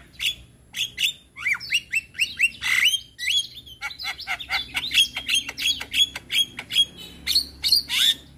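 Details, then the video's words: Male Javan myna song meant for teaching other mynas: a dense, varied chatter of squawky notes, rising and falling whistles and sharp chips, delivered rapidly and almost without pause. "Ocehan Jalak Kebo Jantan Cocok Untuk Pancingan Segala Jenis Burung Jalak Belajar Bunyi"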